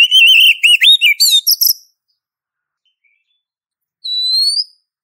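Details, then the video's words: Oriental magpie-robin female calling for a male, opening with a quick string of wavering whistles and scratchy chirps. After a pause comes a single clean, rising whistle. "Suara Pancingan Sekaligus Terapi Kacer Betina Memanggil Jantan"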